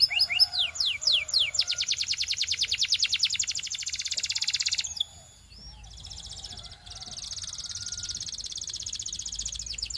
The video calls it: Belgian Canary Singing